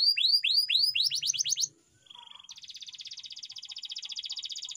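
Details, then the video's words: Canary singing a training song: repeated curved whistles and quick chattering notes, a short soft buzz, then a long even rolling trill, slightly quieter. "canary bird singing _your canary will not stop singing with this training song_الكناري"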